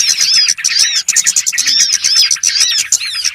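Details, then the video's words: Lure recording for trapping small birds: dense, overlapping high chirps and quick sweeping whistles from many birds at once, barely pausing across the whole stretch. "SUARA PIKAT BURUNG BURCIL"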